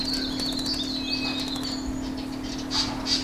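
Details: Male Chestnut-bellied Rock Thrush calling: thin, high chirps and short whistled notes in a quick run, ending with two louder sharp high notes, over a steady low electrical hum.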